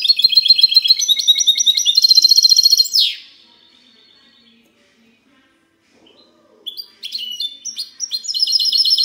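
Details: Goldfinch hybrid (mixto de jilguero) giving 'cante limpio' clean song, 19 March 2020: about three seconds of fast high trills closing with a buzzy sweep, a quiet gap, then sharp chips building into renewed twittering.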